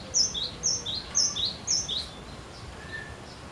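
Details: Persistent cinereous tit song meant to coax other birds into singing, four rapid paired whistles, each a sharp high note followed by a lower slurred one, about twice per second, then fading faint notes.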